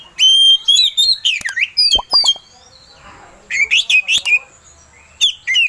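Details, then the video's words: Oriental magpie-robin song used to provoke another bird: bursts of whistled and slurred high notes broken by a quiet gap, with a few low clicks. "Suara Pancingan Kacer Agar Cepat Emosi Gacor"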